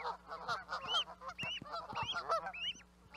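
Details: Short stretch of overlapping Canada goose calls, a jumble of low cackling honks topped by higher rising, bent notes from several birds.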